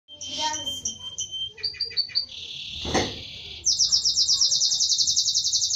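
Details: Canary song: varied phrases with pure whistled notes, a rapid series of clipped chirps, a broad buzzy note with a sharp click, then a fast bright trill pulsing about four times per second.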